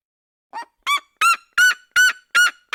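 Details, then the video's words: Red-legged seriema in the cerrado opening a call series with a soft note followed by increasingly loud, harsh yelps spaced about a third of a second apart. "CHAMADO E CANTO EM DUETO DA SERIEMA - SERIEMA DO CERRADO"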